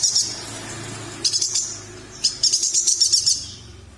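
Chestnut-crested yuhina giving thin, very high chirps in quick bursts, a brief note, then two rapid chattering runs over a faint low hum.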